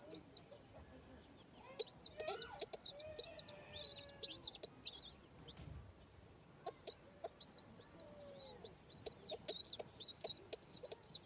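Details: Domestic pigeon with baby chicks during feeding: rapid high, squeaky arched peeps come in dense bursts, roughly two per second, with short pauses between runs and a few lower, softer notes beneath.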